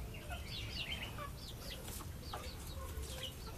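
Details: Backyard chickens, a chick with its mother: a run of thin, high peeping notes, each rising then falling, repeated irregularly over a steady low rumble of background noise.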